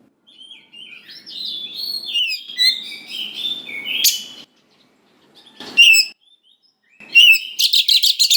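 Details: Oriental magpie-robin in full song, a lure to rouse young wild-caught birds into replying: a long run of varied whistled and warbled notes, a few sharp chips, and a closing rapid buzzy rattle.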